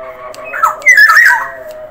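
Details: Black-naped oriole (Oriolus chinensis), Sumbawa variety, singing actively: a quick run of harsh, nasal squawks and slurred mid-pitched notes over about a second, above a steady background hum.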